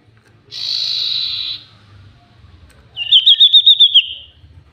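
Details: Very vocal common iora lure song: one long steady buzzy note, a pause, then a fast even trill of about eight high notes, over soft low hum.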